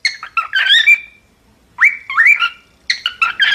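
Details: Cockatiel in song training giving three short bursts of scratchy chatter mixed with rising whistled notes, with brief silences between.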